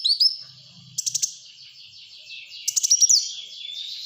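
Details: Black-throated sunbird in continuous, busy song for prompting and tutoring: high thin twittering, two short bursts of rapid ticking, and sliding whistled notes over a sustained high buzz.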